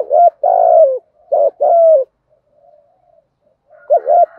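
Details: 'Thúc gù' coo of a spotted dove with a deep 'giọng thổ' voice, said to draw wild doves: two quick low coo phrases, short wavering note then sustained falling coo, a softer murmur, then a third phrase beginning.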